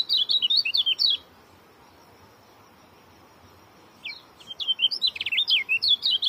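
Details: Oriental white-eye (kecial kuning) singing a dense, fast song: a second-long burst of quick, high zigzagging chirps, a silent pause of about three seconds, then another rapid twittering run to the end.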